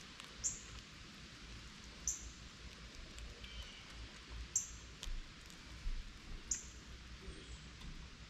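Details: Northern cardinals chirp while waiting below a feeder for falling seeds as a squirrel eats: four crisp, high, clipped notes about two seconds apart, with faint softer rustling and background hiss.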